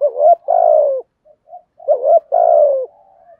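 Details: A decoy spotted dove calling to provoke wild doves to coo: a rising wavering note then a long falling coo, a couple of faint soft notes, and the same two-part phrase again, ending in a trailing murmur.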